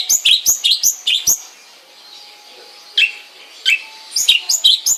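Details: Caged long-tailed shrike at home delivering bursts of quick, harsh descending chirps, a pause of nearly two seconds, then resuming the rapid chirping series.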